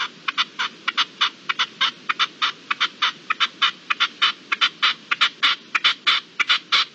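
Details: At dusk on 7 April 2022, a partridge gives loud, harsh, chattering notes in a rapid, fairly regular rhythm, about thirty in seven seconds, with little else audible.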